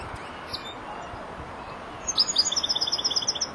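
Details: Four-month-old European goldfinch just beginning to finish its song phrases. Faint high note near the start, then a quick run of bright, evenly spaced tinkling chips high in pitch over a steady low hiss.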